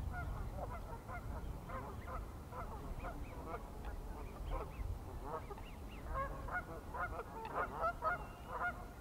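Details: Pied-billed grebe calling while swimming: a long, dense series of short, nasal, honking notes, repeated rapidly, over a steady low rumble of background noise.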